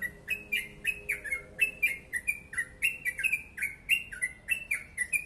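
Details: Yellow-vented bulbul in dense ropel song: evenly paced, bright chirping notes, roughly four per second, alternating between two pitches in a bubbly chatter.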